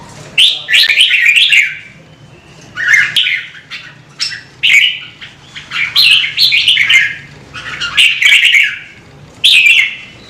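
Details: Red-whiskered bulbul, a kept songbird stimulated to sing, giving rapid chattering whistled phrases in long bursts of several notes each, with brief gaps and a faint low hum behind.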